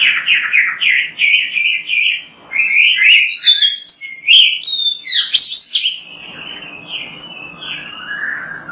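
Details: Vigorously singing Oriental magpie-robin, a tutor recording for other magpie-robins: repeated looping whistled phrases, a busy flurry of sharp high notes, then softer descending whistles over faint hiss.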